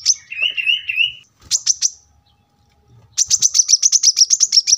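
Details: Brown-throated sunbird song from a masteran cage-bird training recording: a warbled wavering phrase, a few sharp high notes, a pause, then a rapid even trill of high repeated notes.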